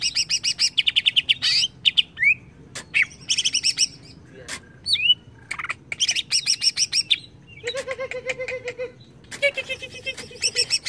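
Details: Agitated greater green leafbird answering a lure with long runs of rapid chattering notes, downslurred whistles, and a lower repeated trill, varied phrases following one another.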